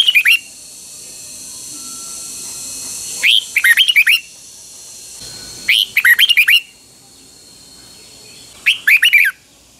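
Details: Pa La-u Red-whiskered Bulbul kept as a Thai cage bird, singing double-style song: four short bursts of quick warbled whistles, sharp and repeated every two to three seconds, with a soft hiss between phrases.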